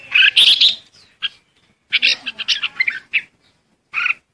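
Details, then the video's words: Red-whiskered bulbul calling the flock: a quick run of bright, chirpy, slightly harsh notes, then a busier cluster of chattering chirps, a short single note, and a final brief chirpy burst after a pause. "Chim chào mào gọi đàn"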